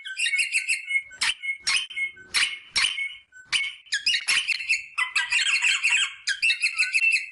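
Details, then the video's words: Rosella calls intended to encourage mating: dense, buzzy chattering phrases and thin whistled notes, with sharp clicking knocks at irregular intervals throughout. "صوت طائر الروزيلا للتحفيز على التزاوج"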